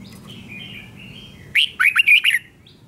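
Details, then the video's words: Doubled song from a caged red-whiskered bulbul, for young birds to copy: faint thin whistles, then one loud burst of six quick, liquid whistled notes, rising and falling, in just under a second. "นกกรงหัวจุกเบิ้ล 1000000% สอนลูกนก ก็อปติดง่าย"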